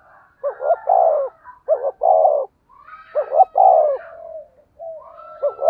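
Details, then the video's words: Spotted dove in the thunder-toned 'thổ sấm' voice style, a recording used to lure and stimulate other doves: two deep, throbbing coo phrases with a stuttered start and a rolled final note. Faint higher whistles run in the gaps. "Chim cu gáy giọng thổ sấm chuẩn // tiếng chim cu gáy kích bổi mới rất hiệu quả"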